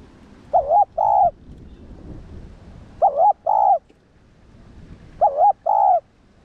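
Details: Spotted dove (cu đất) coo played to excite and train kept doves: three paired low hoots, the first wavering, the second steadier, repeated about every two and a half seconds.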